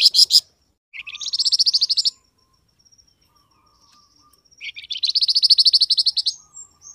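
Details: Grey-headed canary-flycatcher (flamboyan) calling to make wild birds answer: a brief chirp burst, then two long, evenly rattling trills of high chirped notes, each over a second, with quiet between.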